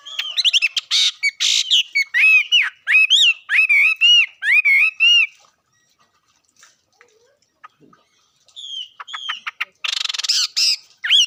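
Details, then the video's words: Bird singing in a fast series of clear, looping whistled notes with buzzy bursts for about five seconds, then a quiet pause with faint clicks, then more rapid whistles and a harsh burst near the end. "Coob quaj zoo heev li"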